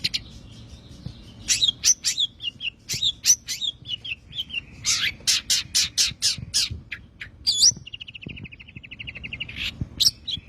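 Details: Long-tailed shrike song of the tembakan style, used as a training recording for songbirds: rapid high chattering notes and sharp chips, then a buzzy rattled trill held for about two seconds before bright whistled notes resume.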